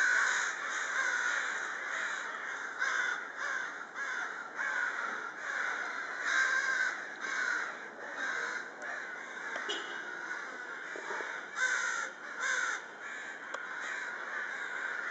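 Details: A crowd of crows active during the evening hours. Many harsh caws overlap into a dense, restless chorus with irregular louder peaks throughout and no break in the calling.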